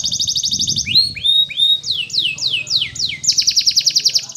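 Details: Canary training song over a faint low murmur. A rapid trill gives way to rising whistles and a string of falling swoops, then the rapid trill returns.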